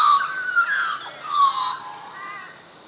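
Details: Australian magpies singing at Coffs Harbour: rich warbled, fluting phrases that slide and waver through mid pitches with bright overtones, fading toward the end.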